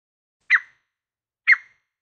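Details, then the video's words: A Grey partridge gives two short, harsh, creaky notes spaced one second apart, with no background sound. "صوت صيد الحجل الرمادي// Grey Partridge Sound"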